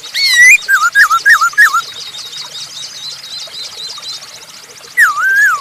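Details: Masked laughingthrush singing as a lure: a quick series of loud, wavering whistled notes, then quieter background chatter, then one more sliding whistle.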